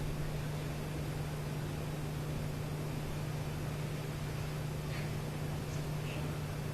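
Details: Constant broadband hiss over a steady low electrical hum, with no clear animal voice.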